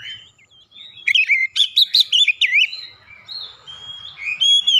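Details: Clear Oriental magpie-robin lure song for prompting other birds to sing: soft whistles build into a loud, rapid burst of sharp chips and slurred notes, followed by quieter drawn-out whistles.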